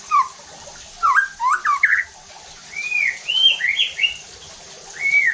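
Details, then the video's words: Lure song of a white-rumped shama, used to push other shamas to sing harshly and reveal their repertoire: short whistled bursts, then clear arched whistles, one repeated at the end. "PANCINGAN EFEKTIF JADIKAN MURAI BATU NEMBAK KASARR UNTUK MENINGKATKAN EMOSI DAN BONGKAR ISIAN"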